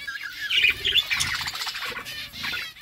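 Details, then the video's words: Pet budgerigars eating food chirp in quick, scratchy bursts of high, warbling notes, with soft pecking and rustling underneath. "budgies chirping sounds"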